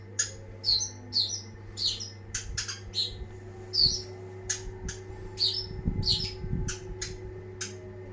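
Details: Long-tailed shrike giving sharp high chirps and squeaky notes spaced about half a second apart, with some soft low knocking and a constant hum underneath.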